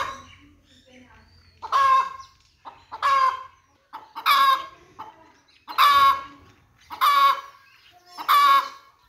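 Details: Chickens giving repeated harsh squawking calls, six loud rasping cries spaced roughly a second and a half apart, with quieter clucking notes in between and a faint low hum at the start.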